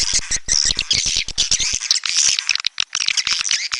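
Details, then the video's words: Edible-nest swiftlet calls, red-nest type: dense, high, buzzy twittering with quick clicking notes, nearly continuous throughout with brief gaps. "SUARA BURUNG WALET - Royal Wellness WALET SARANG MERAH"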